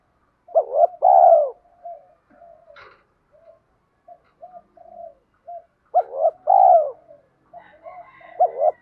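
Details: Two full spotted dove coo phrases, quick notes then a long rolling coo, with soft scattered low notes between and a faint higher chirp near the end; a voice used to train and lure doves.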